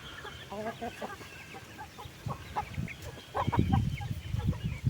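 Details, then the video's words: Farm chickens at afternoon feeding time, 15 August: clucks and chirps from the flock, growing into louder low rumbling noise in the second half. "wild chicken farm feed them in the afternoon"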